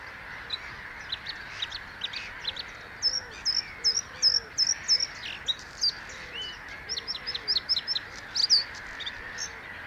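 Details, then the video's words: A singing Bluethroat delivers bursts of rapid, varied high chirps and downslurred whistles, with pauses between phrases, and faint lower curved notes beneath. "Cute Bluethroat singing (Luscinia svecica) - Blaukehlchen"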